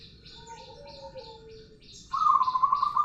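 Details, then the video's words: Background chirping from other birds, then a local zebra dove breaks in with a loud, low, rapidly pulsed rolling coo. "Perkutut lokal gacor suara ngerol panjang"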